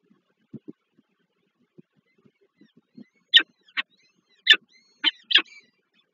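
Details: Begging from peregrine falcon nestlings being fed by the female at the Żerań plant in Warsaw, Poland, 7 May 2023; after quiet low taps, five loud high piercing chirps come about once a second.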